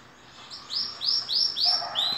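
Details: Green canary, two years old, singing while in moult: a series of bright whistled notes, each sliding downward, repeated about every third of a second, with a lower warbled phrase near the end.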